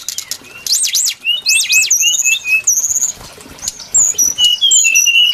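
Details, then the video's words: Brown-chested jungle flycatcher, recorded as a trapping lure: a few sharply arched high whistles, then thin, level piping notes and lower chirps spaced out over a faint background hiss. "Suara pikat burung sikatan SRDC Sikatan rimba dada coklat"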